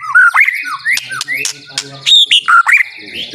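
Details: White-rumped shama (murai batu) singing as a lure for a silent bird: loud clear whistled phrases, some rising, some sharply falling, in short bursts separated by brief pauses and faint clicks.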